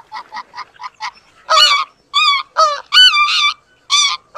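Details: Greater white-fronted goose (Anser albifrons) during mating: five soft, quick clucks, then about five loud, high, ringing yelping honks, each roughly half a second long.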